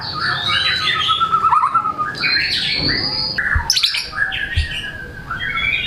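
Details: Energetic white-rumped shama showcasing its varied material, meant to coax lazy birds into singing: a mix of whistles, trills and harsh notes with a few low thumps in the background.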